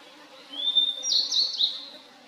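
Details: Song phrase of a wild Blue-and-white Flycatcher: a thin, rising whistle leads into louder, harsh, buzzy high notes with quick slurred edges, then fades. A faint low hum runs in the background.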